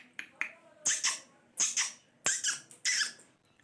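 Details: Pet parrot talking indoors: bright, hissing paired syllables in bursts, repeated about four times in a short run, with faint room noise between.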